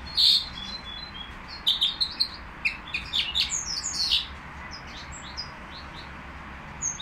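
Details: Nightingale song at a bird market, with a loud opening chirp followed by a quick cluster of high twittering and whistled notes that thins out into sparse single calls over a constant low hum.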